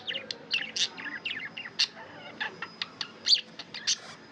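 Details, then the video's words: Pet budgerigars chirping: a busy stream of short high chirps, warbled notes and sharp clicks, uneven in spacing, with several birds seeming to call over one another in a quiet room. "Budgie chirping sound & love"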